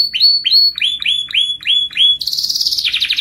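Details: Canary in lively singing form, a long rolling song used to prompt other canaries to sing. A run of clear whistled notes, each sliding down, repeated about twice a second, then a rich, fast rolling trill.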